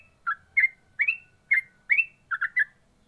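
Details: Yellow-vented bulbul in ropel song: a handful of loud rising and falling chirps spaced evenly, ending in a quick bubbling three-note burst, with soft low noise in the background.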